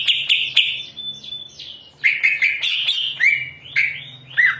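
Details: Greater green leafbird, a caged bird singing loudly and fluently while another leafbird nearby holds back: high, varied chirps and whistled notes, some sliding downward, in quick bursts with short pauses.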